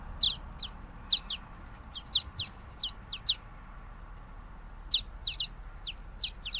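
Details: Song of a common waxbill: clear, high, sharp chirps in quick groups of two or three, with the groups repeated about every second and a short pause midway. The background is quiet.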